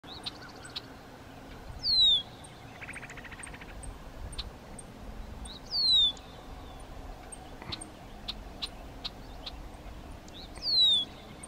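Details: Upland sandpiper near Lake Superior at Cloverland, Wisconsin, gives a clear, high, downward-slurred whistle three times, about four seconds apart, over faint ticking insects and a brief buzzy chatter.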